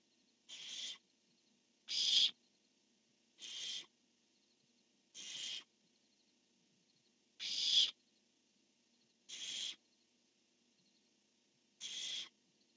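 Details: Nest-camera barn owls, 10-1-15, with the male calling and the female answering: seven short, noisy shrieks spaced about every one and a half to two seconds, varying in loudness, over low hum.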